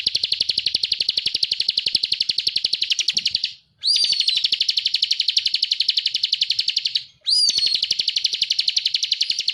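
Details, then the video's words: Actively singing bar-winged prinia on a masteran training track: three sustained, fast-pulsed, buzzy trills high in pitch, separated by brief pauses, each new phrase starting with a quick rising whistle. "Masteran burung ciblek kristal gacor"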